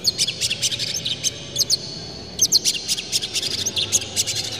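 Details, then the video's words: Lure song of an Oriental magpie-robin meant to rouse other magpie-robins. The bird is said to spread its tail and pour out harsh material. Sharp clicking chirps come in rapid clusters, with a short pause before a second burst. "dijamin kacer langsung ngamuk2 dengar kacer ini bongkar emosi buka ekor ngobra full isian"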